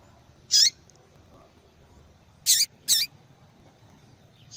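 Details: Calling female yellow-bellied seedeater, used to warm up a male's singing: three sharp, high, buzzy chips, the last two close together, with a soft faint note between.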